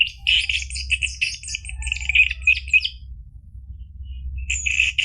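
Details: Dense, fast chattering song of an orange-headed thrush, meant to stimulate a caged bird to sing, with mixed whistles and harsh notes for about three seconds, a pause, then another burst.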